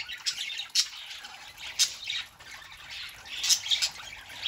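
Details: Saturday morning chatter from a group of pet parakeets: rapid, raspy chirps and squeaky notes overlap continuously, punctuated by several brief, piercing squawks.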